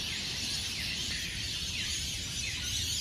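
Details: Before sunrise at Burleigh Heads Beach in South East Queensland, hundreds of colourful rainbow lorikeets leave their Norfolk pine roosts. Their massed shrieking is a steady, deafening high-pitched din, with sliding squawks repeating through it.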